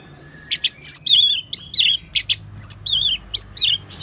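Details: Continuous orange-headed thrush song made of fast, wavering whistled phrases mixed with sharp clicks, delivered in a steady run. Bird keepers use it as a tutor sound to get other birds singing.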